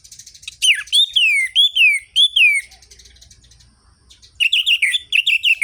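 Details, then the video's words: Lively orange-headed thrush song meant to spark other thrushes to sing: loud arched whistled phrases repeated quickly, a softer pause with faint low rumble, then a fresh burst of rapid chopped notes. "ANIS MERAH GACOR ABIS untuk pancingan bunyi burung anis merah yang loyo"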